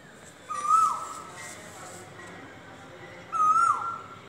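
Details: Asian koel calling twice, about three seconds apart, each a short loud whistle that rises slightly then drops away, with faint background hiss between notes.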